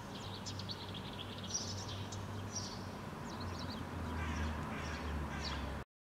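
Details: House sparrow parent feeding its fledglings in a park in Helsinki, Finland, in June 2013; thin, high chirps come in quick irregular runs over a steady low rumble of background noise.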